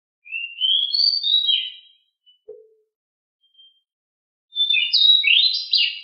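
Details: Pied bushchat (decu) in 'ngeroll' rolling song, agile and loud. A rising whistled warble opens, then a pause with one faint low note. A second dense, tumbling phrase of high notes follows.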